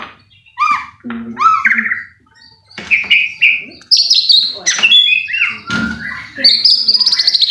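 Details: Lure recording of white-rumped shama song meant to provoke a bird into singing: clear rising whistles, paired downslurred notes, then a fast buzzy trill at the end, with short silent gaps.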